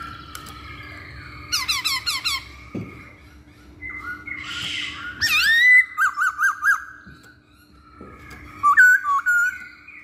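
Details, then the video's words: Lure recording of a masked laughingthrush: harsh rasping squawks in quick bursts, then loud whistled phrases and a string of short rhythmic notes, with brief pauses between the outbursts. "Pancingan Poksay Hongkong"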